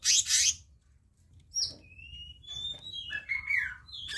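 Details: Black-naped monarch training recording: a loud, harsh, buzzy burst opens, followed by clear, thin whistled notes held level at varying pitches, then a falling whistle.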